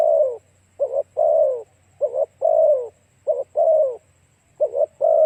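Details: Cooing spotted dove played to attract other doves: four phrases of a brief doubled coo and a long drooping note, about one phrase per second.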